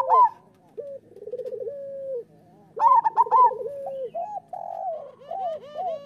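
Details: Several local zebra doves in a master song for training: loud rolling coo phrases alternate with quieter stuttered trills and short looping notes that rise and fall.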